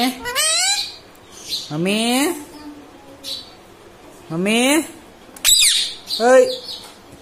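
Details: A pet ringneck parrot (Mitthu) repeats a squawky, speech-like "mummy" ("Mami") several times in short bursts of harmonic, rising-falling syllables, with quiet room sound between.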